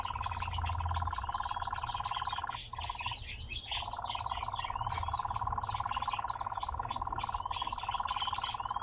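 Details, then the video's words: Singing, dancing nightjar held in captivity: a continuous purring churr of quick pulses stops twice for about half a second, while other birds give rising whistled chirps. "Пение и танец козодоя"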